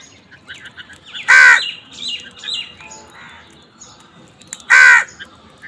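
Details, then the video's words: Two loud raspy caws about three seconds apart from a crow fighting over food, with thin chirping and twittering of other birds between them. "Crow fight for food Crow Sound part 103 কাকের ডাক"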